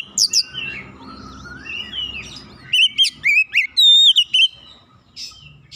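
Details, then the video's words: Oriental magpie-robin song used to prompt other birds to sing: loud whistled notes with sweeping, rising and falling slurs between 2 and 8k, bursts at the start and a fuller run of phrases after the third second, fainter birds behind. "PANCINGAN KACER langsung latah ikutan gacor"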